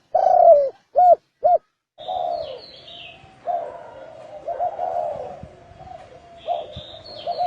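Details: Spotted dove cooing 'chuông đồng' (bronze bell) style to excite males and females: three clear, deep coos, then softer, overlapping cooing with thin higher chirps from other birds in the background.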